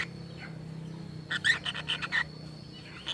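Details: Lovebird giving a strange, speech-like call: a quick chattering string of about six loud pulsed notes in under a second, with faint chirps before and a low steady hum throughout.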